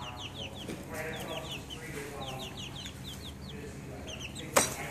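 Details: Chicks cheeping in a busy group, rapid thin descending peeps tumbling over one another, steady low hum beneath and a single sharp knock near the end.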